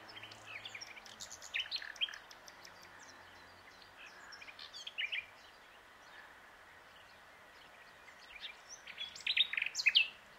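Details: A common nightingale sings on its branch at the Plan d'eau du Breuil, Bourbon-Lancy, in short, varied phrases of rich notes and quick trills, with clear pauses between them, over a faint background hiss.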